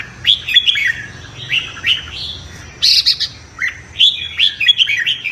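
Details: A red-whiskered bulbul sings in the morning, bright, bubbling whistled phrases, each about half a second long, rising and falling between mid and high pitch, repeated almost without pause; competition-style song used to provoke other birds.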